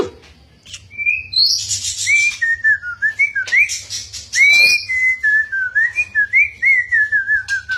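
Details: White-rumped shama, a lively, chattering bird, singing back at its owner without giving way: a run of wavering, whistled notes, some sliding up and down, repeated in quick succession, with faint low hum beneath.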